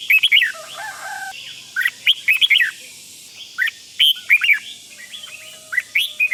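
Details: Red-whiskered bulbul calling 'rik' to make other bulbuls excited. Dense runs of sharp, slurred chirps in repeated clusters, with a short flat tone early on and another faint steady tone later.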